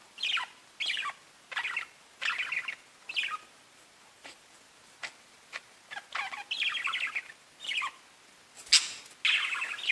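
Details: Pet budgies chirping: short bursts of scratchy, high chirps and warbles come in separate clusters about every second, with brief quiet gaps between them and one sharper squeak near the end.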